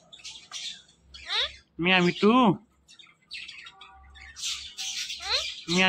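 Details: Five-year-old pet parrot known for talking gives loud wavering, harmonic squawks in short bursts, with quieter rasping chatter between them and a low background hum.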